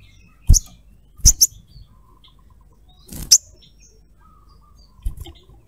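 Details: Crimson sunbird hen calling the male, lively cruet calls; four bursts of high, sharp chirps, some doubled, spaced irregularly over a quiet background.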